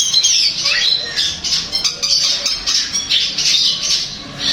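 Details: Long-tailed shrike song played to prompt another shrike to answer and sing: dense, harsh, scratchy high chatter with squawking notes and a quick falling slur, delivered in rapid unbroken bursts.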